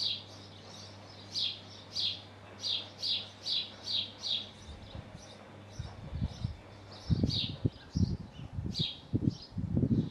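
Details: Male house sparrow calling from a roof beside his nest in Hull, UK: a steady series of chirps, about two per second, then lower rustling and knocking sounds in the second half.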